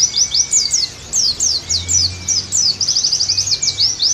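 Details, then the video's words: Lively Oriental white-eye song meant to tutor and revive a pleci's singing: clusters of sharp, high downslurred chirps and a fast trill near the end, over faint drawn-out whistles. "Terapi + Masteran Agar Pleci Gacor Kembali"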